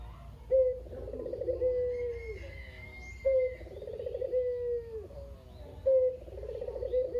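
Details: Talkative captive Barbary dove (kugeru), one bird left from a pair, recorded as a lure for lazy doves; three repeated coos about every two and a half seconds, each a quick accent, a rippling roll and a fading downward drawl.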